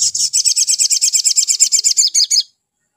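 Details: Spiderhunter in a recording meant to provoke other spiderhunters into calling, giving a fast, sharp chattering of about sixteen high, metallic notes in two and a half seconds, the last few dropping slightly before stopping.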